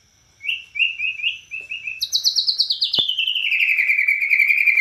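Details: Bornean white-rumped shama singing energetically: a short run of repeated whistles, then a loud fast trill that slides downward and continues as a rapid, steady chatter to the end.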